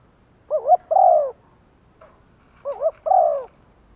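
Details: Caged decoy spotted dove luring wild doves with its calling coo: two matching phrases, a quick two-part wavering note then a long falling coo, with a tiny soft note between them.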